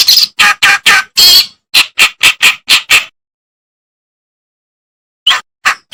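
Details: Reed warbler song, a master recording used to tutor songbirds such as green leafbirds and magpie-robins: harsh, buzzy chattering notes in a quick run, then silence for two seconds and a few more rasping notes.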